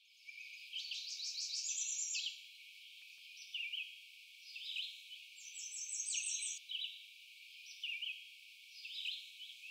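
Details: American Redstart at Doodletown, where it nests, giving clear one-section songs without buzzy sounds and alternating song types: high, bright series of rapidly repeated notes, each phrase lasting about a second, with softer high chips from other birds between.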